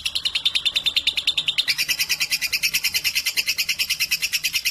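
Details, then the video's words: A 3.5-month-old lovebird, described as brave with adults and suitable as a tutor, keeps up rapid, regular chirping that switches partway through to a higher, brighter, doubled note pattern. "Lovebird 3.5 🌒 berani trek dengan dewasa dan Cocok buat masteran"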